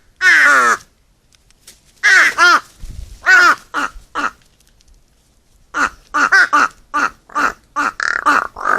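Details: Group of crows gathered to eat at feeding time: a few loud, raspy single caws spaced a second apart, then a quicker run of about a dozen shorter, clipped caws from several birds.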